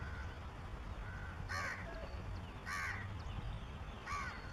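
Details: Crow calling noisily because a shikra is nearby: three harsh, raspy caws about every second and a half, against constant low rumbling background noise.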